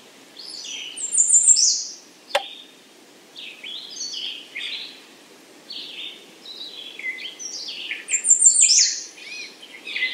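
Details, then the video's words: An American redstart sings a rapid, high string of notes ending in a downslur, then again near the end, with varied chirps and whistles from other birds in between and a sharp click early on. "American redstart Calling"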